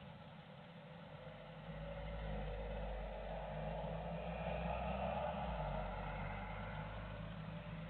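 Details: Steady low engine rumble, like an idling or passing vehicle, swells slightly in the middle and persists throughout, with no animal calls heard.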